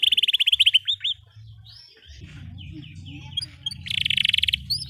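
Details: Canary in long 'gacor panjang' song: a fast trill and hooked whistles at the start, a quieter stretch of scattered soft notes over low rumbling noise, then another rapid rolling burst.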